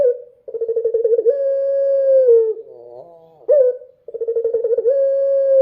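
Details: A Barbary dove singing at night gives a fast rolling purr that runs into a long, smooth, mid-pitched coo, then starts the purring phrase again.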